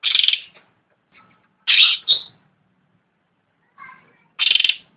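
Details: Harsh, scratchy chattering from a cucak ranting: a loud rasping burst, a doubled burst near the middle and another at the end, with faint lower twittering notes in the gaps.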